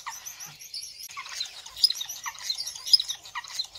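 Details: Star finch, native to Australia, giving thin high chirps and short notes among several birds, with a busy chorus of overlapping calls throughout.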